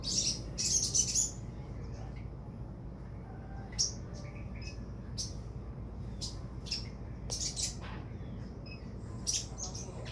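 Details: Crimson sunbird (sogon) vocalising: an opening burst of rapid high twittering, then scattered sharp chirps and clicks every second or so, with a quiet low hum throughout.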